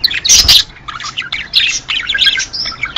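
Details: Budgerigar chatter meant to encourage mating: a loud harsh squawk at the start, then bursts of quick bright chirps and warbling squeaks.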